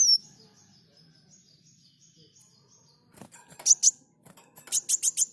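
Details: Lively olive-backed sunbird in a tutor recording for caged birds: a long thin high trill wavering slightly, then after a pause a run of loud buzzy, rasping bursts repeated rapidly.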